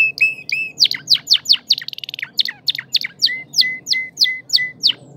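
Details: Crested canary in good form singing rapid repeated downslurred notes, a quick rattling trill, then steady whistled tones repeated about every third of a second, over a low background hum.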